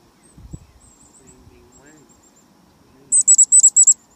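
Black-capped chickadee giving a quick burst of five or six very high, thin notes near the end, after faint high twitters over a low background murmur.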